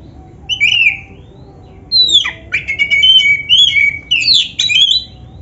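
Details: Training song of a black-breasted oriental magpie-robin with varied fill phrases. A lone whistled slur, then a long, fast stream of swooping and descending whistles with clicky notes.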